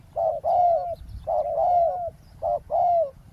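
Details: Spotted dove calling during roadside ground decoy trapping to lure a wild dove; loud, low, mellow coos grouped in short two-part phrases, a brief note followed by a longer drawn-out coo, repeated about every second with little background noise.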